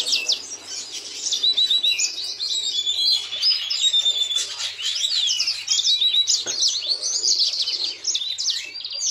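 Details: Pet yellow-fronted canary, a seed-eating finch with mostly yellow plumage, pouring out a continuous high melodious warble of rapid chirps, slurred whistles and trills, with a faint steady hum in the room.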